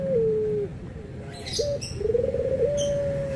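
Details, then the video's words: Anggungan cooing of a puter, the Barbary dove, where white and brown birds are compared: a falling drawn-out coo, a brief sharp note, then a trilled rising phrase settling into a sustained tone; faint clicks and a low hum behind. "PERBEDAAN SUARA ANGGUNGAN BURUNG PUTER PUTIH DENGAN PUTER COKLAT"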